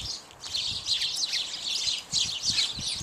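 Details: A flock of house sparrows, mostly male plus at least one female, feeding on bird seed, giving busy high-pitched chirping in irregular bursts, with soft low knocks and thumps beneath the chatter.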